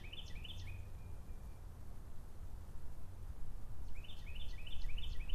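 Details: American goldfinch giving two bursts of quick, bright chirped notes, a few notes each, one at the start and another after about four seconds, over a steady low rumble of background noise.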